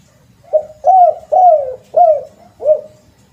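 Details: Spotted dove lure call: five soft, hollow coos in a row, the middle ones longer and slurred downward, spaced about half a second apart over faint low rumbling.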